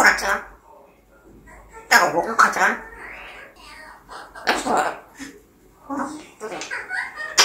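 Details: Pet grey parrot indoors in a small room, producing speech-like mimicry: short bursts of harsh, syllabic chatter and vowel-like tones separated by brief pauses, with sharper broadband squawks near the start, middle and end.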